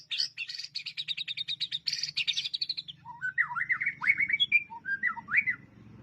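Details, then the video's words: Fighter-style white-rumped shama master song for training: rapid high staccato trills give way to looping, slurred whistles rising and falling, over a low background hum. "BURUNG MURAI BATU ISTIMEWA FIGHTER DAN SOBEK SOBAK"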